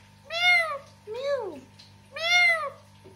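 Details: Pet parrot that talks, imitating a cat with three meow-like calls, the middle one lower and sliding down, the outer two arched and bright, over a low hum.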